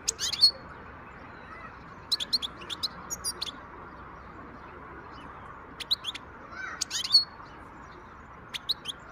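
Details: A wild European goldfinch sings in 2023, with bright, clipped chirps and liquid twitters in scattered bursts, several rapid notes together then gaps, against a constant soft background rush.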